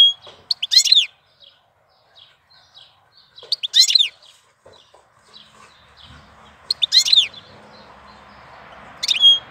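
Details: Goldfinch in April delivering bright twittering bursts every few seconds, sweeping down-slurred notes and a sustained thin whistle, with soft scattered chips between phrases and a rising hiss later.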